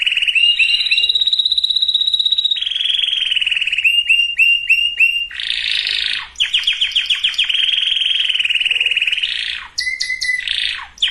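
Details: Canary singing, used to get males and females ready for breeding: continuous loud song of sustained high trills, fast repeated chip tours, and rolling buzzy phrases shifting in pitch, with brief breaks near six and ten seconds.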